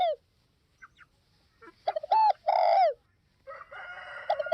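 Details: Cooing spotted dove of the Northwest (Tây Bắc) type: after a few faint notes, a full phrase of clipped hoots and a long downslurred croo, then softer overlapping tones.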